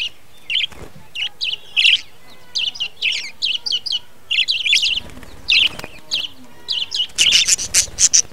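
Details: Budgerigars in a breeding colony in a budgie hut, 2020: dense, overlapping high chirps and scratchy warbles in quick bursts, with a brief flutter of wings and a soft low thump.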